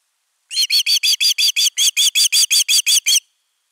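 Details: Alarmed osprey guarding the nest, filmed on 31 August 2021: after a moment of quiet, a burst of roughly fourteen rapid, high, ringing whistles, then silence again.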